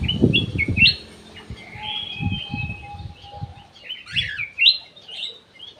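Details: Ruby-throated bulbul (cucak emas) song used as a lure, from an aviary: sharp, sweet whistled notes in short bursts, a held thin whistle, and low thumping and knocking noises throughout.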